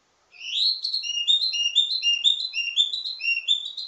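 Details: Wambi mini delivering a varied ledekan teasing song used to train other wambi mini: a continuous run of quick, bright, two-tone chirps repeated about twice a second, climbing and dipping.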